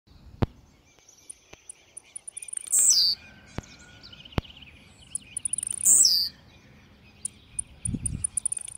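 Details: Blue-black grassquit singing very aggressively: two short, loud buzzy notes sliding sharply downward, about three seconds apart, with faint high ticks and soft clicks between them.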